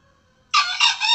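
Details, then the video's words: Harsh, clipped crow of a male red junglefowl, used as a lure sound for trapping and hunting, said to draw in both males and females; the rasping call starts abruptly after silence, dips midway, then swells again and is cut off. "Suara pikat Ayam hutan jantan,Ampuh untuk pikat dan berburu."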